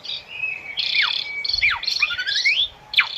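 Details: Asian pied starling song for training captive birds: continuous varied phrase of steady whistles, several sharply down-slurred notes and a rising swoop, with a harsh buzzy undertone, ending in a quick falling squeal.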